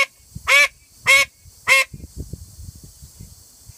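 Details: Three harsh, nasal quacks from a female call duck calling at full volume, spaced about half a second apart, then quiet low knocking and shuffling noises.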